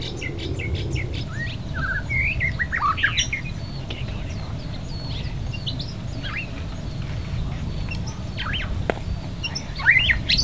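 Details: White-rumped shama, a non-native bird at West Loch Shoreline Park on Pearl Harbor's west edge, Oahu, Hawaii: a busy run of varied whistled and slurred notes, some rising, some falling, over steady low background rumble.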